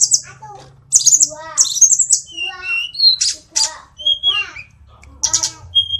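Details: Sulingan gunung (hill blue flycatcher) from Kokap in Kulon Progo, Yogyakarta, noted for imitating varied birdsong, delivers bursts of high chattering notes, harsher stacked squawk-like calls and clear pure whistles, over a soft low background drone.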